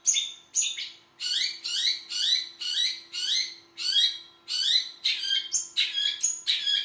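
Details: Long-tailed shrike song in a fast run of scratchy, downward-sweeping chirps, about two per second, mixing high whistled notes with harsher buzzy ones.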